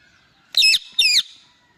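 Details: Angry male Indian ringneck parrot giving two loud, grating screeches about half a second apart, each short and rasping, against a quiet background.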